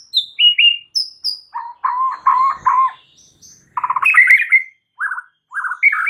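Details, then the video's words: White-rumped shama singing to provoke other shamas: descending whistles, a burst of lower warbling, then buzzy complex phrases and short slurred notes. "PANCINGAN Murai Batu bikin langsung EMOSI murai manapun saat mendengarnya"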